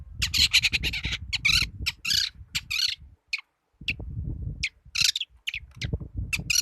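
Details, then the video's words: Young long-tailed shrike delivering harsh, scratchy bursts and grating chatter in trotol style, notes broken by short pauses, over steady low background rumble. "BURUNG CENDET MUDA/TROTOL GACOR"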